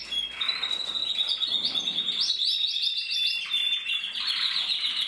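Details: Bred male canary in red mosaic isabel colouring with a red mask, 2024: a steady whistled note leads into a high rippling trill of evenly spaced notes, then a rougher chattering roll.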